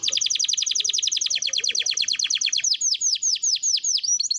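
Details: Canary singing, used to coax young canaries into song: a long, rapid rattle of high repeated notes gradually loosening into distinct descending slurred whistles.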